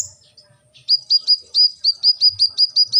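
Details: Brown-throated sunbird giving a series of about a dozen sharp, high, downslurred chips repeated roughly five times per second.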